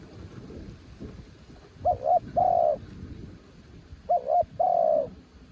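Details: Cooing of a spotted dove from the mountains: two phrases, each a stuttered double note leading into a long, smooth, falling coo. The phrases come about two seconds apart over a muffled low background.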